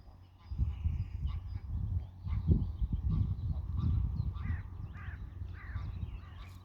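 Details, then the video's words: Greylag geese calling: harsh, nasal honks with stacked overtones, a few scattered early on and then a cluster of several in the last two seconds, over a loud, steady low rumble. "Graugänse, Greylag geese"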